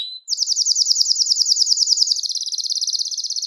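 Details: Male-stimulating, hen-conditioning song of a Belgian canary: one short high note, then a very rapid, even trill of bright repeated syllables that shifts to a faster, finer roll partway through.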